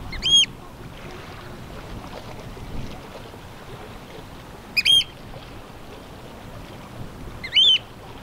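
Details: A male Northern Wheatear at Strengen, Netherlands, on 24 April 2021 gives three short, sharp, high notes a few seconds apart over a steady rushing background of wind or water.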